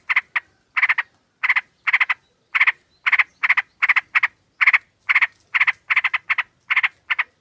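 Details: Sooty-headed bulbuls calling, with a female summoning a male, used as a lure: rasping, buzzy double and triple chatter notes repeated at an even pace, about two clusters each second, over a quiet background.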